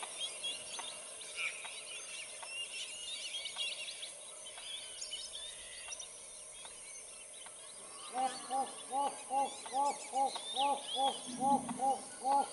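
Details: A wattled jacana watching over its chicks gives a run of nasal, harmonic notes, about two per second, after quieter background bird chatter; Wattled jacana.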